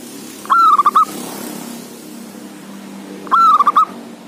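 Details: Male local Zebra dove with a loud, strong voice, calling out a rival and used to coax lazy doves into cooing. Two identical mellow phrases, each a held note followed by rapid rolling beats, about three seconds apart.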